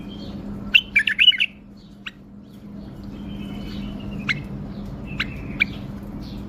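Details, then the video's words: A tame, caged male bulbul in Baghdad sings a quick burst of bright, chirpy notes, then a thin drawn-out whistle and a few sharp, separate chips over a low, steady hum. "بلبل يغرد تغريد"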